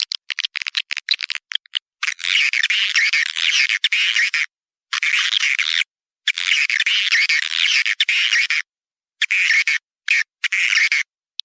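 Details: Swiftlet calling sound: long bursts of dense, buzzy, high twittering chirps separated by short silent gaps, with scattered single clicks at the start.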